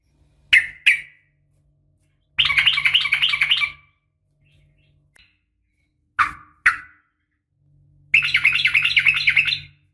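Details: Female yellow-vented bulbul calling the male: two sharp descending chip notes, then a long bright chattering burst, repeated after a pause, with a low steady hum beneath.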